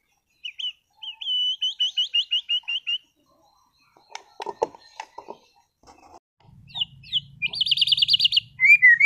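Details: Caged white-rumped shama, a contest bird from Sragen, delivering a steady run of about ten repeated whistled notes, then soft clicks, then a fast buzzy trill over a low humming background noise.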